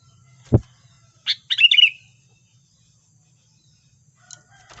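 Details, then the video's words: Sooty-headed bulbul lure song used in trapping: a dull low knock, then a brief chattering burst of quick slurred whistled notes ending in a falling trill, followed by silence and faint high ticks near the end. "SUARA PIKAT BURUNG KUTILANG GACOR"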